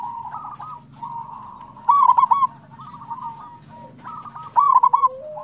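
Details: Local zebra doves singing as a prompt for other doves, two loud phrases of rapid stuttering coos about two and a half seconds apart amid continuous softer cooing from many birds.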